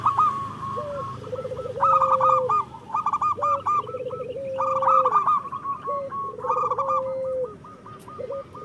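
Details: Local zebra dove song, used as a master recording to prompt lazy or moulting doves to sing. Low stuttered cooing notes run into a long flat tone, repeated several times. Higher repeated cooing notes overlay them throughout.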